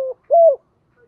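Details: Spotted dove calling to lure and challenge wild doves: the tail of one coo followed by a single short arched hoot, then quiet.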